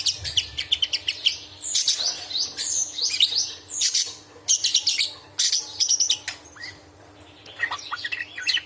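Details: Budgerigar in an angry mood pours out nonstop high, scratchy chatter: rapid rasps, sharp chirps and squeaky slurred notes in dense bursts, ending with a few rising squeaks; used as tutor sound for murai batu and kacer.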